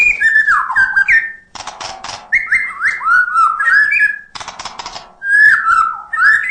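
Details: White-rumped shama (murai batu) singing steadily, a song rich in imitated filler sounds (isian): sliding whistled phrases falling from high to low, split by two harsh, rasping bursts of broadband noise.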